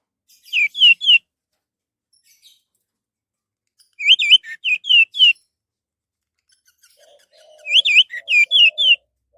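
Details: Orange-headed thrush song used as a lure to get other birds singing: three short bursts of looping, rising-and-falling whistled notes, each about a second long, separated by silence, with faint low notes near the end.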